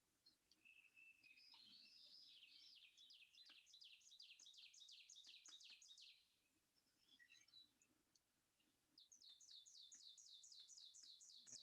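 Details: Ovenbird, a northeastern US warbler, sings a rapid series of ringing two-note 'teacher' phrases, about four per second, growing louder and louder through each burst; a second burst follows a short pause.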